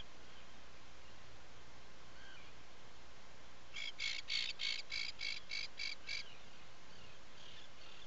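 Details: Atlantic puffin at a nesting burrow on Seal Island National Wildlife Refuge, Maine, 16 July 2018 around late morning, giving a quick run of about eight sharp, nasal peeps, three a second, over a steady low rumble, fainter calls before and after.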